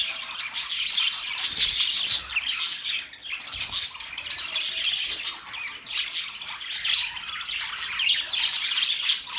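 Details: Pet budgerigars in a newly set up cage chatter steadily, rasping squawks and bright chirps overlapping in a dense, rising and falling chorus.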